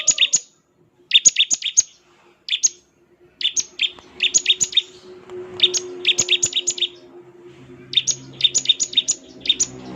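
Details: Bar-winged prinia giving its ngebren song, said to make other prinias respond: clusters of sharp, buzzy rattled notes in uneven groups separated by short gaps, over a low steady hum.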